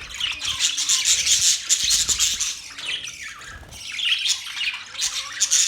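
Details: Budgie chirping in dense, overlapping chatter: rapid high squawks and warbled notes pile on one another with no clear pauses, rising and falling in bursts.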